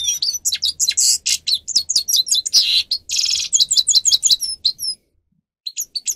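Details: Grey-crowned goldfinch singer for tutoring birds: a steady stream of quick high chirps, around three per second, with two harsh buzzy bursts in the middle, ending in a pause and scattered soft tweets.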